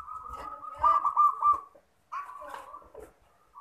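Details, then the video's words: Zebra dove singing for bird luring, two bursts of rolling, trilled cooing notes, the first longer and louder with quick pulses, the second softer after a short pause. "PERKUTUT MASTERAN MANGGUNG AMPUH BUAT PIKAT"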